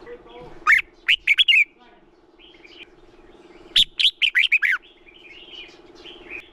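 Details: Lure song of a male red-whiskered bulbul meant to excite rival bulbuls: two bursts of sharp, bouncy warbled notes, the second longer and tumbling downward, over a steady low mechanical hum.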